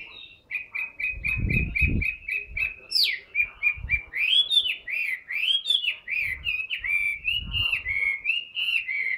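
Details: Caged Chinese hwamei, large and tame, starting with a rapid string of identical short whistled notes, then loud looping whistles that rise and fall, with occasional low thumps in the background.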